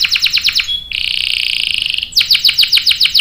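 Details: Singing canary used as a lure to set other canaries off: rapid high downslurred notes break into a sustained buzzy trill, then the quick downslurs return.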